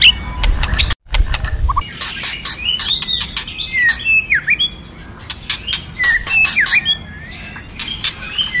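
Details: White-rumped shama training song in forest-voice style: bright whistled phrases with V-shaped swoops and scattered sharp chips, over a faint low rumble and a brief thump near the start.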